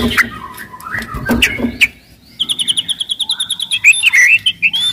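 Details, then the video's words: White-rumped shama, described as loud and aggressive, singing as a lure for other shamas: low rustling and scattered notes, then a rapid even series of high piping notes followed by twisting warbled phrases. "MURAI BATU GACOR , CEPAT MERANGSANG BUNYI, GACOR & FIGHTER"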